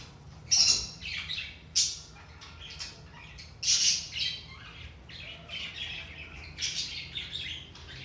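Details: Budgerigar chatter to energise lazy budgies: dense, harsh high squawks and chirps, loud bursts early then continuous chattering warble toward the end, over a faint low hum.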